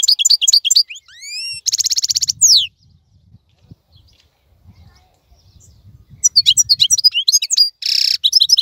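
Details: European goldfinch in full song during the moult season of other birds, with rapid tinkling twitters, upslurred whistles and buzzy trills, a pause filled with faint low rumbling, then more twittering and a buzzy trill.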